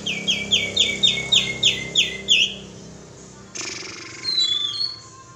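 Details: Kapas tembak bulbul lure call: a fast, regular series of about ten sharp, descending chirps, then a sudden burst of noise and a faint thin whistle.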